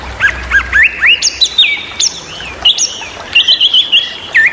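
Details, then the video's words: Loud, constantly singing Chinese hwamei, known locally as wambi, used as a tutor song for other cage birds: rich, varied whistled phrases, some warbled and rising, others level and sustained, changing every second or so. "burung wambi super berisik/Hwamei bird"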